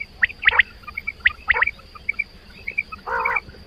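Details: Quail calling, linked to quail hunting: short sharp high notes in quick pairs and triplets, a brief rougher lower burst near the end, over steady background hum.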